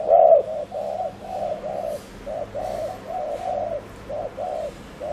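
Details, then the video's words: Fainter bout of rapid cooing from a decoy spotted dove used for luring wild doves; low, muffled coos in pairs repeat steadily over a noisy background. "Chim cu gáy GÙ ( bo ) TỐC ĐỘ kích bổi,cu gáy mồi cây"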